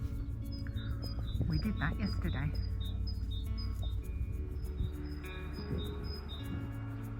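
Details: A great tit, identified by ear as likely, by the Llangollen Canal near Whixall Marina repeats a high two-note seesawing phrase, described as sounding like a wonky seesaw, several times a second over low wind rumble and a person talking.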